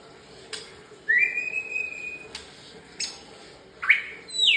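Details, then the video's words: Morning song of a white-rumped shama: a long pure whistle that sweeps up and then holds level for over a second, followed by a sharp upward-slurred note, with scattered clicks and a low hum. "Kicau murai pagi hari"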